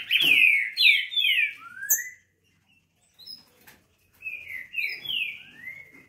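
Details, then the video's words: Green-winged saltator, a crossbred (mestiço) trinca-ferro, delivering loud rich whistled phrases of downward-slurred notes, a longer rising final note, then a pause before a quieter repeat of the phrase; faint clicks and handling sounds. "TRINCA FERRO MESTIÇO SOLTANDO O VERBO"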